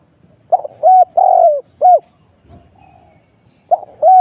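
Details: A short run of loud, mellow coos from a spotted dove acting as a trapping decoy: hooked notes and one long falling coo, then a brief gap before two more notes begin.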